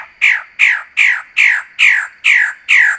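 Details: Loud, rasping calls of a magnificent bird-of-paradise, each note sliding downward, repeated steadily about every 0.4 seconds, seven in a row.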